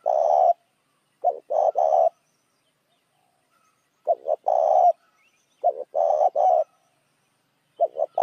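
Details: Spotted dove calling as a lure for other doves. Repeated phrases of several short stuttering notes running into a sustained low coo come in fairly quick succession, against a silent background.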